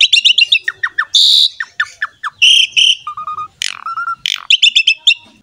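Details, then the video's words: Champion Asian pied starling, recorded as bait to set other birds singing, gives quick chattering runs, falling whistles, harsh buzzy notes and low level whistled phrases in a varied, unbroken stream. "MASTERAN DAN PANCINGAN BURUNG JALAK SUREN GACOR JUARA"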